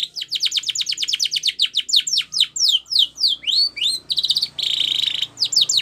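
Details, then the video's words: Canary song used for training, described as Spanish Timbrado style: fast runs of repeated high downsweeping notes, then sweeping upslurs and a dense buzzy roll near the end, with short pauses between phrases. "Canary Singing Bird Sounds"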